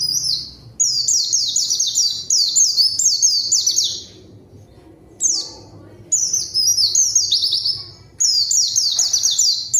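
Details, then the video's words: Zosterops (pleci) song as a rival-calling lure for quiet birds, delivered in long, loud runs of high, rapid descending chirps, broken by a brief silence midway, with low hum underneath. "PANCINGAN PLECI GACOR MANGGIL LAWAN COCOK UNTUK PLECI DIAM AGAR CEPAT BUNYI DAN GACOR"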